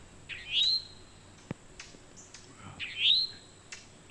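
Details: A towhee calls to attract a mate while other birds chime in: two clear, upward-sweeping whistled notes about two and a half seconds apart, with a few sharp clicks between them.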